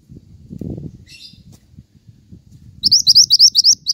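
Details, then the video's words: Pied triller in full song, used as training and lure audio for songbirds: after a muffled low rumble and a faint high twitter, a burst of about seven rising, whistled notes ends the clip. "BURUNG MANTENAN GACOR"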